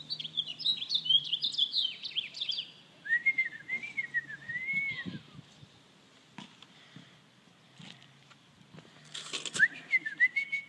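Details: Quick high squeaky chatter from an American robin answering whistling, then a person's smooth arching whistled phrase, a quiet pause with clicks, and the robin and the whistle returning at the end.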